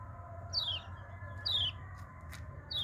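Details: Yellow-vented bulbul, hand-raised, uttering three clear downslurred whistles spaced under a second apart over a low background hum.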